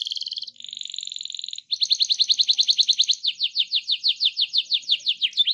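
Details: Rolling canary song played to get other canaries singing: a buzzy trill, then a fast run of clear repeated notes that slows into separate downward-slurred chirps.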